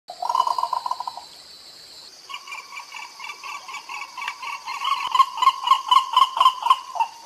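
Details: White ibis recorded in Costa Rica during 2021 visits to national parks, filmed on a Fujifilm XH1: rapid nasal honking notes, about four per second, a short burst then a longer rising run, over a steady high insect hum.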